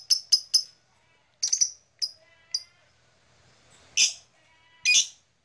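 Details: Black-masked lovebird of blue colour calling in scattered short bursts: a quick triple chirp, a few single shrill notes, then two louder, harsher squeaks with gaps between.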